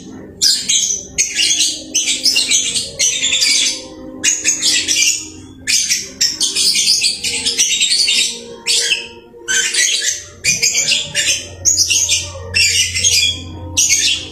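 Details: Domestic lovebird in steady song, a string of harsh, high twittering phrases of about half a second to a second, broken by short gaps. A faint low hum enters near the end.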